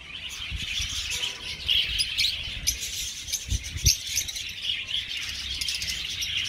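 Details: Budgerigars in an aviary colony: even, crowded chirping and warbling throughout, with a few soft low knocks in the background.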